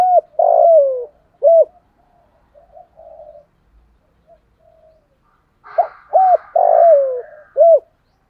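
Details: Loud, clear 'giọng thổ' call of a spotted dove at dawn, used to attract wild doves. A long slurred coo dropping in pitch and a hooted note come first, then quiet murmurs, then a repeat of the phrase.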